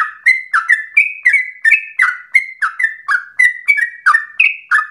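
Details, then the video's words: Sooty-headed bulbul singing persistently for training and provoking other birds: bright whistled notes in quick succession, level tones alternating with downward-sliding ones, a faint click partway through. "Trucukan gacor ropel ngotot narung emosi TERBAIK untuk pancingan sekaligus masteran"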